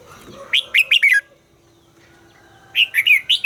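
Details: Red-whiskered bulbul in voice training delivering two short phrases of quick, clear, downward-slurred whistled notes separated by a silent gap of over a second.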